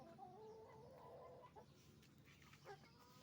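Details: Chicken farm hens and roosters making noise: a long, wavering drawn-out squawk over the first second and a half, then scattered shorter calls and clucks against a low constant rumble.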